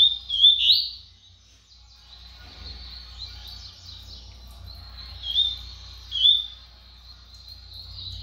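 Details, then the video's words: Brown-plumaged double-collared seedeater showing off its fast, spirited song: short bursts of high, twittering notes at about 0.5 and again near 5–6 seconds, with a faint thin trill carrying between them and a low hum underneath. "COLEIRO PARDO GUMP MOSTRANDO SUA VELOCIDADE"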